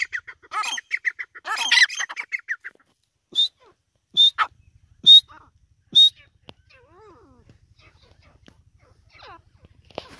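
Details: Female grey francolin, a call used to lure birds for hunting: a rapid burst of harsh, chattering notes, then four sharp high whistled notes about a second apart, followed by faint soft chirps.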